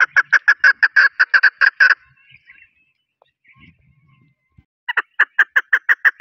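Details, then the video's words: Chukar partridge from Pakistan, locally called desi chokor, giving loud, rhythmic chuck notes in a fast burst of about eleven, then a near-silent pause before another quick run of the same harsh clucking notes. "Chokor Partridge voice | Mast Desi chokor"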